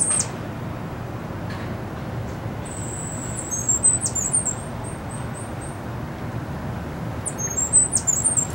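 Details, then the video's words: Captive Cuban grassquit singing: two bursts of a very high, thin, sibilant trill, each about a second and a half long, over a steady low rumble of background noise. "Tomeguin cantando"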